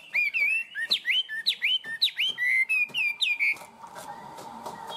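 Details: Tame caged Chinese hwamei singing strongly: loud, clear whistled phrases that swoop up and down, repeated about twice a second, each ending in a short warble, then fading into soft clicking and background hiss.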